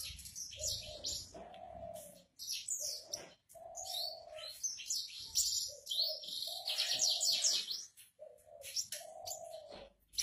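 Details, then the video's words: Javan bush lark in full song on a stone perch, pouring out dense, high, scratchy chattering and twittering notes in a continuous tangle, interleaved with lower sustained droning tones and brief gaps. "Branjangan Javanica Gacor Istimewa - Ngerol Anteng"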